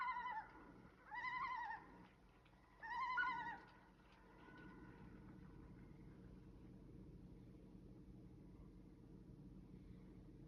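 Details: Loons call at night on the shield with three short, mournful, harmonic notes. Each note bends slightly in pitch, and the notes are spaced over about three seconds. After them comes a quiet, still background.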